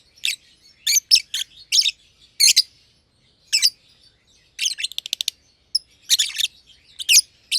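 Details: Lovebirds of green personata and green pied personata colouring chirping during play in an aviary; strident raspy chirps in small clusters, a brief rapid rattle midway, then further loud harsh notes.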